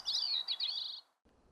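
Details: On a mountaintop in New Hampshire's White Mountains, among four or five communal Bicknell's Thrushes, one about 100 feet below gives a single high, nasal, slightly downslurred call lasting about a second, keeping track of the others; quiet background hiss.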